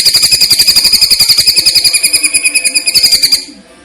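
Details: Greater green leafbird (cucak ijo) song used as a training recording: a fast, steady run of bright, high, trilled notes, about four per second, ending abruptly.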